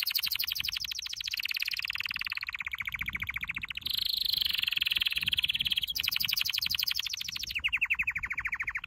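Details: Canary training song made of long rapid rolls and trills, a smooth gliding tour in the middle, then fast repeated notes resuming, all high and dense.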